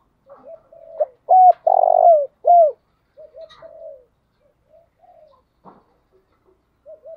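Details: Decoy spotted dove calling in the morning: soft coos lead into a loud phrase of short coos, a long rolling coo and falling end notes, followed by quieter scattered coos.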